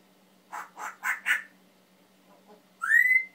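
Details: Indoors, a male pet Timneh African grey parrot utters four quick hoarse rising squawks, pauses, then finishes with a long clear whistle sweeping upward and levelling off, with a faint hum behind.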